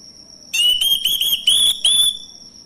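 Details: Male orange-headed thrush song played as a lure to prompt silent thrushes into singing: a bright, sustained whistled phrase broken into ringing segments, slightly rising at the end, over a constant high thin tone.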